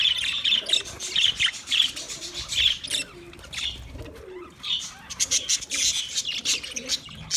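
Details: Several budgerigars chirping for a lonely companion bird: rhythmic bright, buzzy notes repeated about twice a second, a short lull, then busy overlapping warbling chatter, with soft lower cooing tones underneath.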